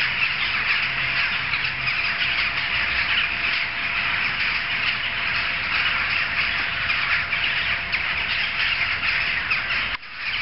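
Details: A gathering of jackdaws heard from several streets away keeps up a continuous harsh chorus of overlapping calls. A faint steady hum runs beneath, and the sound cuts out abruptly near the end.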